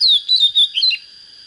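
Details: Short burst from a white-rumped shama said to have a proper voice: a falling clear whistle followed by a few quick warbled notes, then quiet with a faint steady high hum.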